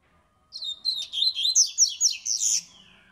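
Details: Coleiro, a seedeater described as fast and strong, in "rei negro" style song: one brisk high phrase of slurred whistles and quick chips, rising toward the end over about two seconds, against a quiet background.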